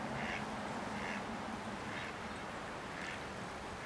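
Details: Canvasback at Sechelt Marsh in Sechelt, BC, in March 2011: four nasal, quack-like calls at roughly one-second intervals over a steady hiss of marsh background noise.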